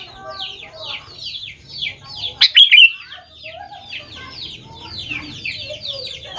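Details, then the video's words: Sooty-headed bulbul lure song to get young birds responding: a single loud, bright, bubbling phrase stands out midway through a continuous chorus of quick downslurred chirps. "BURUNG KUTILANG GACOR | dijamin 100% nyaut GACOR kutilang muda anda"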